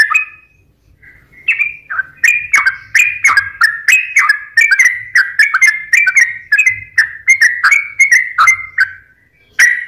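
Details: Sooty-headed bulbul singing actively, used as a lure to prompt lazy or stressed caged birds to sing: short whistled, slightly falling phrases repeated almost twice per second, with sharp clicks between them.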